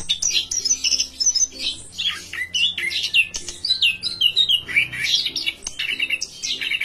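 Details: Orange-headed thrush singing in full voice: a dense, continuous run of varied whistled and twittering phrases, with rising and falling slurs and rapid chips, under a steady low hum.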